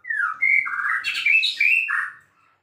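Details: White-rumped shama, called murai, described as a vigorous-singing champion bird, giving a loud rich run of clear whistled phrases, some falling, some rising and warbled, joined without pause for over two seconds in a quiet setting.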